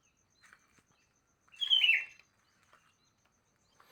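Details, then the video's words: Morning song of a sooty-headed bulbul: a single rich, rolling whistled phrase of about half a second, slurring downward, amid faint background chirps. "Kicauan Burung kutilang Di Pagi Hari"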